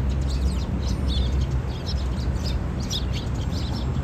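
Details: Noisy sparrows, recorded 15 March 2022; many short, high chirps tumble over one another in quick irregular bursts above a loud, constant low rumble.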